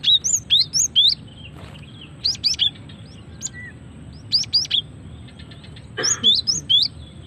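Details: Calling female cinereous tit, used to lure and trigger song: repeated groups of thin high upswept chirps in quick clusters, the groups spaced about a second or two apart, over a soft low hum.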